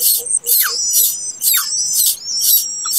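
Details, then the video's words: Plaintive cuckoo chick that hatched late in a nest gives harsh, hissing, high-pitched bursts about once a second, some with thin falling whistles, and a faint low tone at the start. "ANAK BURUNG KEDASIH"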